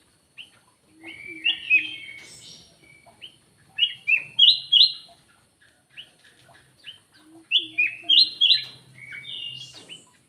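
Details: Repeated bursts of three or four loud whistled notes from a black-naped oriole, used to lure birds, each burst preceded by soft chatter, with a faint low hum.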